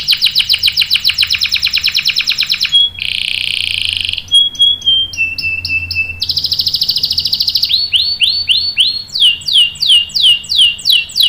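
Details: Canary singing as a lure for other canaries to reply, a lively mix of rapid trills, a buzzy held phrase, short piping notes and a closing run of repeated downslurred and upswept whistles.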